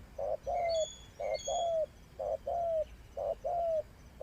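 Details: Cooing of a spotted dove used as a trapping decoy: a short soft note then a longer smooth falling coo, paired phrases repeated roughly every second, with faint high chirps behind.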